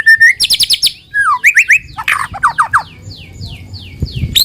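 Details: White-rumped shama lure song to prompt other shamas to sing: a level whistle, fast trills and upswept notes, then a series of soft descending slurred notes fading out.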